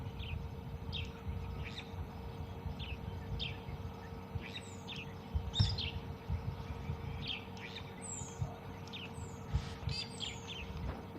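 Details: Brown-headed Parrots at dawn on a morning game drive in a South African private game reserve give sharp, squeaky squawks and shrill downslurred whistles over a steady low engine rumble.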